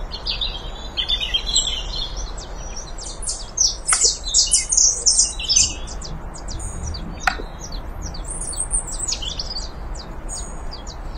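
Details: Saffron finch song: a busy run of sharp, high chirps and short buzzy trills, in irregular bursts, with faint background hiss.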